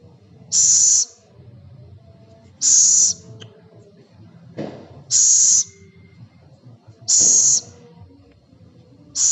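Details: Scops owl, locally called celepuk or ceguk, giving short breathy hissing bursts. Each burst lasts about half a second and repeats roughly every two seconds, five in all, over a faint low background hum.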